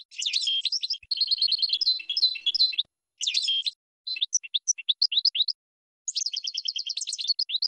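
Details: Lively European goldfinch song of fast liquid twitters and trills, a sparse series of single tinkling chirps, then a final rapid repeated trill; no other sounds.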